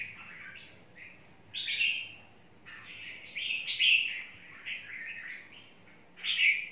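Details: Caged red-whiskered bulbul singing: a series of short, bright warbled phrases, rising and falling, repeated several times over seven seconds, with louder emphatic notes near the start and end; faint low background hum.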